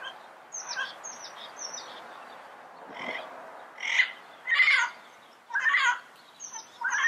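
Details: Yellow-headed parrots calling in the wild: loud harsh squawks in bursts near the end, between softer chatter and thin high whistled notes from other birds.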